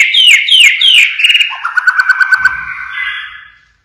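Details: Blorok white-rumped shama singing the siren-shot style: three loud descending whistled sweeps, then a rapid, regular string of short lower whistled notes before the phrase fades away.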